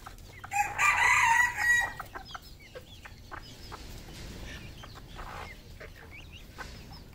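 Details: Red junglefowl on a Cambodian farm crowing once, loud and harmonic-rich, lasting about a second before fading, followed by soft scattered clucks and faint chirps against low background noise.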